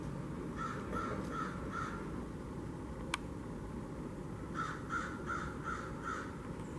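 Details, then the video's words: At a kitchen-garden bird feeder on 13 October 2021, blue jays give two bursts of harsh, scratchy calls, four notes then five, with a single sharp click between them. A constant low hum runs underneath. "Blue Jays t the Bird Feeder in Kitchen Garden"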